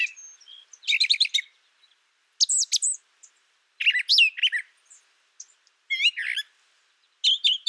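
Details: Brown thrasher song mixing a thin high whistle, a stuttering chip series, loud sweeping notes, buzzy doubled slurs and rising hooked calls, phrases changing constantly with brief silences.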